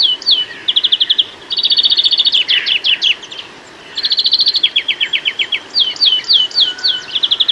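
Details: UK garden greenfinch in full song, stringing together varied rapid trills and quick runs of sharp downslurred chirps, with a short pause mid-way before the twittering phrases resume.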